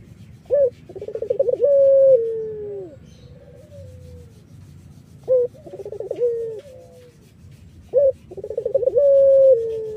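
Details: Three repeated phrases from an Irak-type collared dove, a song used to attract wild doves. Each phrase has a brief opening hoot, a pulsing rolling trill and a long coo that falls away. The phrases come about every three seconds.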